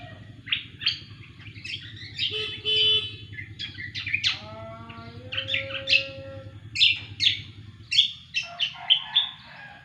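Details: Energetic cucak kombo song: long, varied sequence of high chirps, trills and sliding whistles, some lower drawn notes, building to rapid sharp phrases, with steady low background hum.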